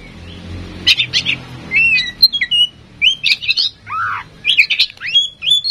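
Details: Tame female oriental magpie-robin singing as a lure for other birds' song: busy clusters of sharp chirps and short whistles, one lower descending slurred note midway, with faint low rumbling in the background.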